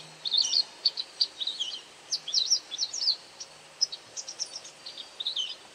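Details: A white wagtail foraging for insects utters a series of sharp, high, clipped chirps, single and in short clusters, about two to four per second at times, over light background hiss and a faint low hum.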